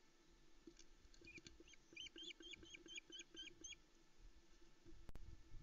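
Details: Female osprey calling loudly on a Loch Arkaig nest cam around 5am on 13 July 2019, awaiting breakfast from the male, with chicks beside her: a quick run of about nine sharp, downslurred whistled notes, evenly repeated, over a low steady rumble of camera noise.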